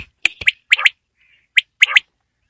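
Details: Quail heard on a winter evening gives quick, sharp clipped notes in tight pairs and triplets, with a short pause before another burst.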